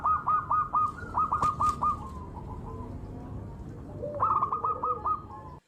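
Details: Zebra dove kept to lure wild doves; crisp hooked coo notes in quick series over steady broadband background noise, a tapering trail, then another short run of coos.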